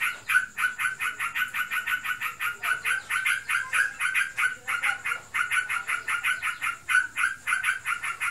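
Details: A kept sooty-headed bulbul, said to be in breeding condition, delivers a long nonstop ngebren chatter of fast, scratchy, evenly spaced notes with a couple of brief pauses along the way.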